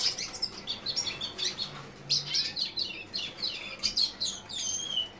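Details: Lesser goldfinch of subspecies jouji giving high, thin twittering chirps in quick clusters, some notes sliding downward, with short gaps between bursts and a soft background hiss.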